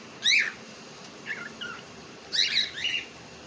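A cockatiel utters raspy, squawky syllables in two loud bursts about two seconds apart, with quieter chatter between them, over a steady background hiss.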